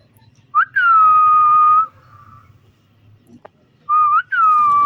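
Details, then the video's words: Green parrot kept as a pet, interacting with its owner, gives a long, clear, level whistle after a brief rising upslur, then quiet, then a rising note leading into another sustained whistle. "Beautiful Green Parrot Playing & Making Stunning Sounds"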